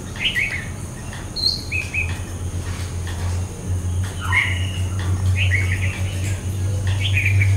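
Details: A pair of greater flameback woodpeckers, filmed on holiday in 2008, with sharp, high chirping notes in short scattered bursts over a steady low rumble.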